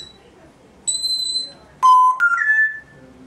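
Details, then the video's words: Talking grey parrot Hugo, indoors, mimics a ringing telephone: a pure steady high beep, then a lower buzzy tone that steps upward twice in pitch. "sprechender Graupapagei: Telefon klingelt"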